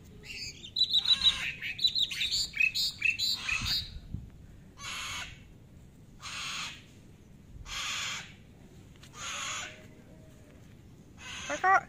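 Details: Free-living sulphur-crested cockatoos, a male and female playing in a residential housing complex, give harsh, broadband screeches about every one and a half seconds, after opening bursts of quick, high chirping.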